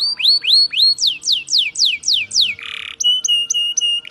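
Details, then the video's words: A Yorkshire canary sings a fast roll of rising, swooping whistles, about four a second, then a brief buzzy burst and a run of level, ringing notes. "kenari yorkshire gacor"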